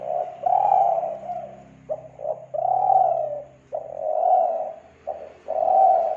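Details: Spotted dove cooing used as a lure for doves, Kelantan: long smooth coos alternating with short clipped double notes, continuous and loud, over a steady low hum.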